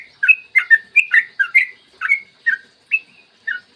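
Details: A yellow-vented bulbul's lure song for prompting other bulbuls to sing: about a dozen bright, bubbly slurred notes, quick at first, then spacing out toward the end.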